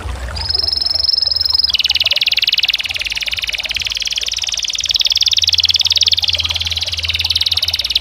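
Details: Canary song: a clear sustained high whistle, then a long rapid pulsed trill rolling on for about six seconds, with faint low hum in the background.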